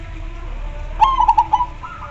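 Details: Zebra dove, perkutut, giving a short gacor coo: a sharp opening note then a rapid bubbling string of four soft rolling notes, trailing into a quieter coo, with low background hum.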